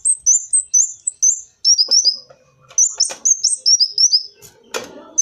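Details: Kolibri wulung sunbird sound for luring: rows of quick, thin, high chips in stuttering bursts, interrupted by scratchy rustles and a sharp clicking noise near the end.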